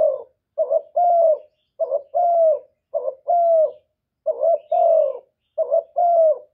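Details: Kept spotted dove cooing to draw out and excite other doves: paired phrases, a brief low note then a drawn-out soft hooting coo, repeated steadily roughly once a second and a half, in quiet surroundings.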